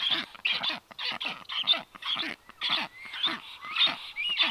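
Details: Black stork at a nest on a balcony, filmed by a livestream nest camera on 9 July 2023 as unringed strange storks land. Harsh, wheezy, rasping bursts repeat about twice a second, with thin rising whistles between them.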